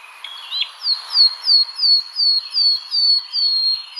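A nightingale sings a brief warbled opening, then a rapid run of about ten high, downslurred whistles, roughly three each second.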